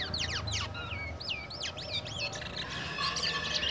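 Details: Black-winged myna, caged and bought cheaply at a bird market, with a varied natural song in its early twittering stage: clear whistled notes sweeping steeply up and down, some looping, in a quick, irregular series.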